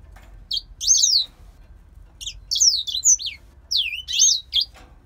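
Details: Grey singer finch held in captivity, originally from Poland, singing three separate short phrases of sweeping, high-pitched whistles, each lasting under a second with pauses between them.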